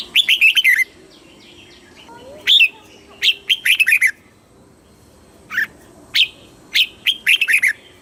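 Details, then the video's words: Caged-bird training song of a red-whiskered bulbul, southern master style: a fast opening burst of warbled notes, then single sharp notes and short chirpy runs spaced across the recording. "เสียงนกกรงหัวจุก สำหรับต่อ หรือ เปิดให้นกคึก"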